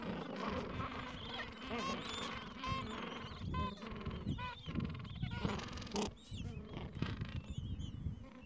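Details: Falkland Islands gentoo penguin colony edge, mild afternoon, adults at nests with chicks of two to three weeks; overlapping honking, harmonic calls with short rapid pulsed bursts every second or so over continuous low colony noise.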